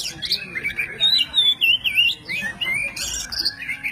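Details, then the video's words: White-breasted oriental magpie-robin (kacer poci), an aggressive fighting songbird, in a recording used to train songbirds: a rapid, varied run of clear whistled slurs, rising and falling notes and short chirps with little pause. "BURUNG KACER POCI ISIAN ALASAN"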